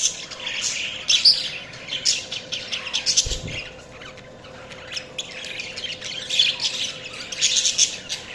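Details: Pet budgies twitter and squawk in a lively high chatter. A dull low thump sounds partway through over a faint steady hum.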